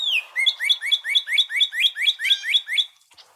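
A northern cardinal sings a clear, whistled downslur, then a fast run of about eleven slurred notes, roughly four per second. A little faint noise follows.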